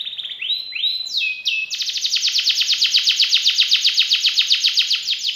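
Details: Singing canary: a few rising slurred whistles lead into a long, fast, even trill of rapid buzzy notes held for several seconds.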